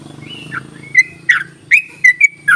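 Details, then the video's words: Yellow-vented bulbul call used as a lure to prompt reluctant bulbuls to sing: a gliding whistle, then five short bright chirps spaced about half a second apart, over a low steady hum. "ropelan dan panggilan burung trucuk ini sangat memikat bagus buat pancingan trucuk malas bunyi"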